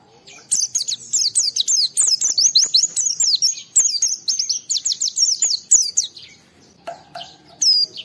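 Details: Singing Oriental white-eye (pleci), meant to prompt rival white-eyes to answer: a long, almost unbroken stream of very high, quick, swooping twitters and chips lasting about six seconds, easing off into a few isolated notes.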